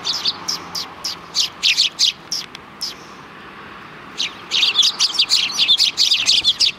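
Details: Several sparrows on a road in front of a Tenmangu shrine, recorded 13 December 2019. There are bursts of high, sharp chirps from many birds, then a quiet pause near mid-clip, then a dense run of overlapping tweets.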